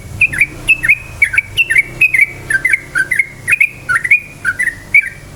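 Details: Lure recording of yellow-vented bulbul song meant to excite other bulbuls into singing: steady chain of bright two-part whistles, high then dipping lower, repeated about three times a second throughout.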